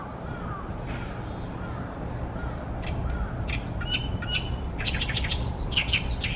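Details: Oriental great reed warbler singing loudly on 28 May 2020 in Ashiya, Japan, from a tall tree beside a reed-fringed pond where it nests. Harsh, rasping notes burst out in a rapid, uneven series in the second half, over low background rumble.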